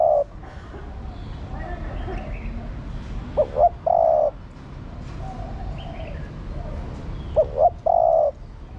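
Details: Spotted dove hen calling to excite the male: the tail of one coo, then two full phrases about four seconds apart, each two short rising notes ending in a long, even, soft coo; faint chirps behind.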